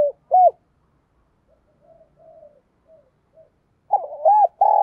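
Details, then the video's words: ['Decoy spotted dove in thổ voice style giving a quick provoking coo. It opens with two short arched notes, then a quiet stretch of soft low murmurs, then a loud stuttered phrase leading into a long coo that is cut off.'] "cu gay kich boi nhanh noi gù - Chim Cu Mồi"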